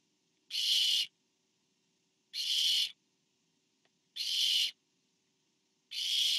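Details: Barn owl, parent delivering food to owlet number four, 24 September 2015: four loud, even, breathy screeches lasting around half a second each, evenly repeated about every 1.8 seconds, with a faint click between two of them.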